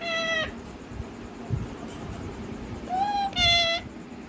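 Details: Talking parrot uttering short nasal, harmonic voice-like sounds: one at the start, then a slurred rising note leading into a louder, buzzy, meow-like call near the end, over steady low background noise.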